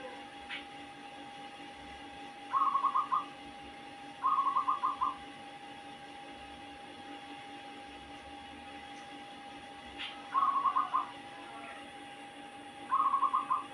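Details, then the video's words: [5, 'Zebra dove caught by trapping and kept a few weeks, giving an odd call: short bursts of fast, burbling notes every few seconds, fairly quiet, against a constant hum and faint clicks.'] "perkutut suara aneh"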